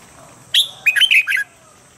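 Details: Red-whiskered bulbul, a trained bird, singing a standard voice for morning practice: a sharp whistled note, then a quick run of four warbled, bubbly phrases over about a second, with a steady faint hiss behind.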